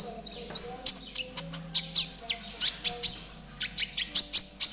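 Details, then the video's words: ['Trotol-style konin singing, used as a tutor recording for caged birds: quick, high chirps and thin descending whistles, about one a second, with a faint low hum beneath.'] "MASTERAN KONIN TROTOL GACOR"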